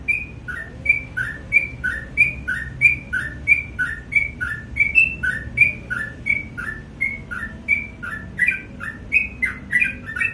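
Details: A sooty-headed bulbul in lively morning song, giving quick paired chirps that step down from high to lower pitch, repeated rhythmically in a long unbroken series with soft low rumble behind.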